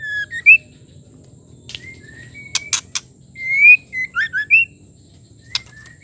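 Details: Female white-rumped shama calling to stir a male into singing; short clear whistles, some rising, mixed with sharp dry clicks, in a quiet setting with a faint steady hum.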